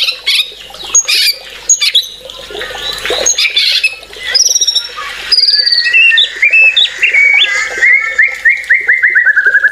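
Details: Loud white-rumped shama song: scratchy, chattering high phrases give way to clear whistles and a closing run of rapid repeated notes that slide slightly downward.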